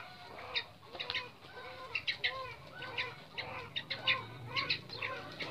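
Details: Caged red junglefowl pair on Lombok, male and female held side by side in separate cages during pairing for breeding; a run of low, hoarse clucks roughly every half second, mixed with sharp high chirps and wing noise.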